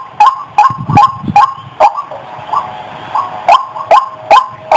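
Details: Lure call of a female white-breasted waterhen: rapid croaking 'wak' notes that break off into a short stretch of softer, muffled sounds midway, then resume at the same quick, rhythmic pace.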